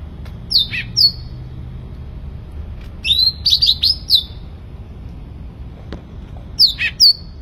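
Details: Actively singing sooty-headed bulbul delivers clear falling whistles in pairs and a rapid run of linked whistled notes, then a long pause before another pair, over low background noise.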